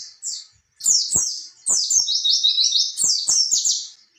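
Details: Ngalas ngerol song of an oriental white-eye, meant to coax young birds into singing: long, fast runs of high, sweet twittering notes after a short opening phrase, with soft low tapping sounds.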